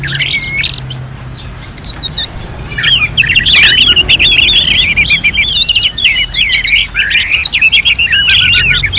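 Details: Orange-headed thrush, kept for training, pours out a fast rambling song of twisting whistles, squeaky trills and chatter, starting softer then loud and unbroken, with a low background drone.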